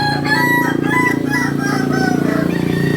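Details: Kukuak Balenggek chickens, a singing breed native to Solok, crowing together in long drawn, overlapping notes over a steady low droning hum.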